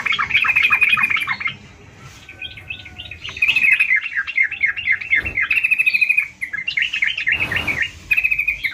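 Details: Sooty-headed bulbul singing vigorously (gacor): chattering runs of quick warbled notes around a high pitch, with brief pauses between phrases and two short bursts of rustling noise near the end.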